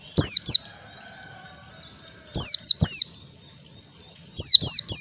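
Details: White-eye song for training young birds in 1, 2, 3 beat phrasing: groups of two or three high, downslurred whistles separated by pauses of about two seconds.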